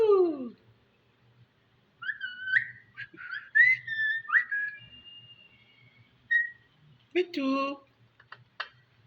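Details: A pet parrot gives a falling whistle, then a run of bright warbled whistles, followed by a few harsh, voice-like syllables, with faint room hum underneath.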